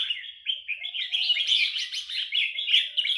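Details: Burmese-origin red-whiskered bulbul song of the phrase-counting nap dok kind: continuous high chattering and fluttering whistled notes that grow busier and louder midway, then carry on steadily.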